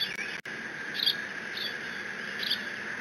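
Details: Bald eagle eaglet guarding a delivered fish in the Decorah nest, live cam, June 30, 2017. Three brief high squeaks about three quarters of a second apart, plus a click, over constant hum.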